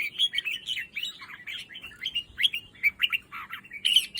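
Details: Red-whiskered bulbul, a cage bird kept for breeding, singing a lively warble of short, varied, liquid whistled notes, rising and falling in quick succession without pause.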